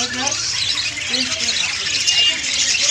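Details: Many budgerigars twittering at once, a constant high, scratchy chatter with scattered short squeaks throughout.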